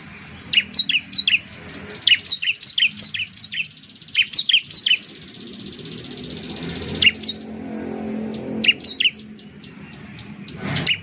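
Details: Bar-winged prinia, locally ciblek, delivering repeated short clusters of high, sharp, slurred chirps, three or four per cluster, with a rustling background and a faint hum.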